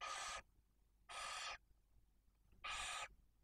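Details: Barn owl at a nest in Cabañeros National Park, Spain, during prey deliveries by the male to the female brooding two chicks aged one and four days; three loud, noisy rasping screeches, each under half a second, spaced about a second apart.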